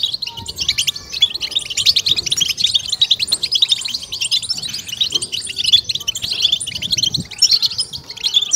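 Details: Many European goldfinches massed in the excitement chorus called 'bitbita': constant high chattering trills and bright liquid twitters layered over one another without pause.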